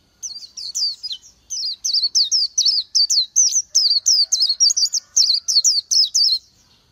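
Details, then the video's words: High-pitched song of an Oriental white-eye, a small green-backed, yellow-throated bird of Vietnamese forest and scrub: a continuous stream of quick wavering, slurred chirps after a soft start, steady for six seconds in a quiet setting. "Chim hót hay Vành Khuyên họng vàng đông dương"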